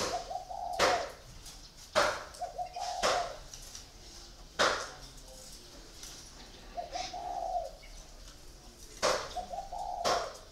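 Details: Caged spotted dove, a caller bird kept in a cage for four years, giving short mellow coo phrases several times, each lasting about a second, between loud sharp knocks and clatter nearby.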